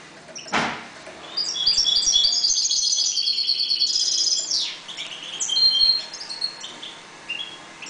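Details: Calm European goldfinches breeding in a 1.20 m cage sing a lively twittering phrase of high chiming notes and trills. The phrase follows a sharp knock and is followed by scattered softer notes.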